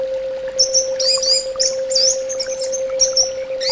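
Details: Orange-headed thrush song: a continuous stream of very high, thin twittering and slurred whistles, quick and jumbled, with a low steady hum in the background.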